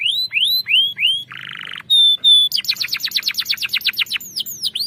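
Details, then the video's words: Canary giving a lure song with a long roll (ngerol panjang): four upswept whistles, a buzzy held note, two thin pure tones, then a rapid rattling roll of about fifteen repeated notes and sharp downswept whistles. "Pancingan kenari macet bunyi ngerol panjang"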